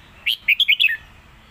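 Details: Red-whiskered bulbul singing a Lak Wai style master song: one quick phrase of five clear whistled notes, rising and falling, ending on a lower slurred note, over quiet background.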